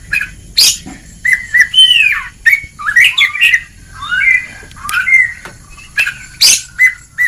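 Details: Oriental magpie-robin singing in the ngeplong style, a training recording meant to stir lazy birds into full song; varied phrases of clear whistles, slurred downward notes and sharp high chips separated by short pauses.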